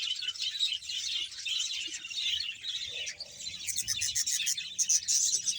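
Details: Budgerigar colony chorus from Bahawalpur, about 100 pairs: steady high chirping and warbling, growing louder near the end with sharper, clicky notes rising above the mass.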